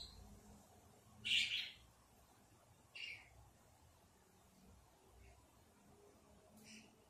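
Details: Robin in a backyard on a June evening in 2024: two short, high chirps, the first louder, then a few fainter high notes against a quiet, low background rumble.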